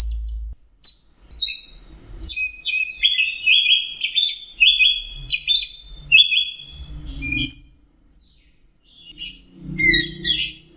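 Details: Orange-headed thrush singing at full intensity, called teler, in a recording made to tutor songbirds: a long varied stream of bright whistled notes, chips and slurred phrases with brief pauses and soft background noise.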